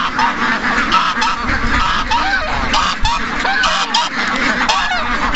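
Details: Dense chorus of more than 700 ducks and geese during a morning rush, loud overlapping honks and quacks pouring out continuously with no pause, a busy crowd of waterfowl calling all at once.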